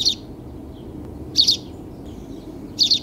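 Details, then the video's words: Sparrow chirps in quick double notes, three bursts about one and a half seconds apart, with faint softer chirping between them and a low background rumble. "Bird Singing #sparrowchirping"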